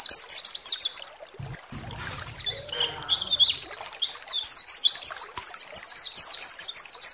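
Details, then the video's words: Lure song of a pleci (white-eye) to rouse other birds into song: quick high chirps, a muffled break with low noise, then a long steady string of sharp, repeated downslurred notes. "SEMUA PLECI GACOR BAKAL EMOSI DAN NGALAS BUKA PARUH"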